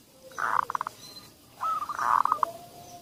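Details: Zebra dove cooing played as a lure for doves that seldom sing: two quieter phrases, each a smooth hum breaking into a quick string of pulsed notes, over steady low background noise.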